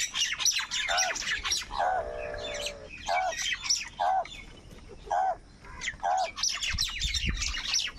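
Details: Crows calling and fighting over food: short hoarse arched caws repeated at uneven intervals, with a longer drawn-out nasal call in the middle, over a busy background of high chirping from other birds.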